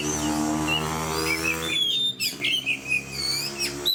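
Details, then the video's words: Fighter-style singing from an oriental magpie-robin: bright slurred whistles and quick chirps, with a low humming drone beneath for the first half. "DENGAR SUARA KACER GACOR DAN FIGHTER"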